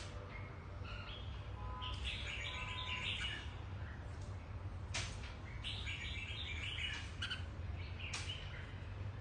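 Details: A mutant platinum-pied red-whiskered bulbul gives short bursts of bright, chirpy notes in quick phrases, over a steady low hum throughout.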